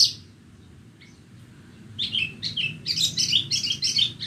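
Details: Horsfield's bush lark, called branjangan borneo, singing on a bright morning: after a quiet start, a rapid run of high chirps and buzzy trilled notes that alternate between higher and lower pitches, with a low steady hum underneath.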